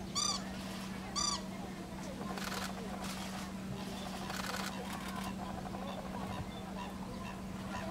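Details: Pheasant-tailed jacana raising two surviving chicks at a farm pond (two of four were eaten by fish or a turtle): two loud, nasal, mewing notes about a second apart, then softer scratchy sounds and a low hum.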